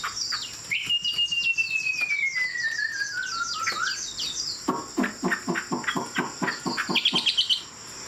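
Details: Tame hwamei singing in the high-perch style. A long pure whistle glides steadily downward, followed by a run of rapid, sharp, clicking notes. The phrase ends in high twittering trills over background hiss.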